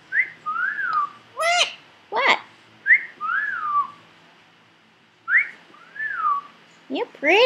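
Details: Three-year-old male pet Indian ringneck parakeet at home, chattering: slurred whistled phrases rising then falling, interspersed with harsh buzzy squawks, repeated in bursts with short pauses, with a person talking to the bird nearby.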